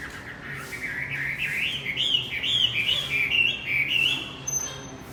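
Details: Javan white-eye song meant to coax a silent male into singing: a run of wavering chirps and twitters, slightly softer, with low background rumble and a brief faint whistle near the end.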